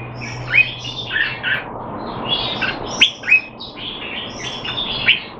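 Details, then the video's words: Red-whiskered bulbul kept in Singapore, a male trained to stay sharp though not in form, December 2020: scattered chirpy, slurred phrases in loose clusters, some notes sharper and louder, over a steady low background hum. "สิงคโปร์เลี้ยง นกหัวจุก Jambul"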